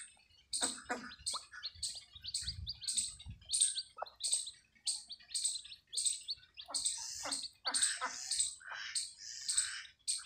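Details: Chicks just hatched from a desi hen on a free-range farm peep steadily. The notes are shrill and high, in rapid clusters across the whole stretch, with faint low rumble at times.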